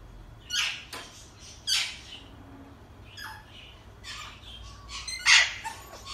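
An Alexandrine parakeet gives about six harsh, raspy squawks and nasal, meow-like calls, spaced roughly a second apart, with a faint steady hum behind.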